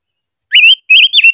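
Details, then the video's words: Silver-eared mesia singing during voice training: two loud clear whistled phrases, the first rising into a steady wavering note, the second a longer warbling whistle with a short dip, on a silent background. "Chim ngũ sắc hót hay luyện giọng - ngũ sắc hót ché"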